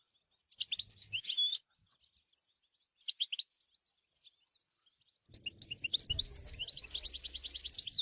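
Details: Wild European goldfinch twittering in short bursts with a whistled note, pausing, then launching into a long, fast, buzzy trilling song over low rumbling background noise.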